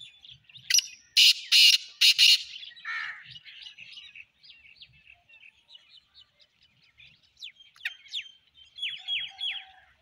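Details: Black francolin calling, recorded 29 January 2024: a loud, harsh burst of four grating notes early on, the first short and the rest longer, then quieter chirps and whistles of other small birds.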